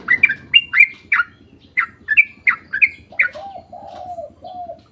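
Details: Sooty-headed bulbul singing as a lure to prompt others to reply: quick bubbly whistled notes in a loose series, followed by low wavering coo-like notes, over soft rustling background noise.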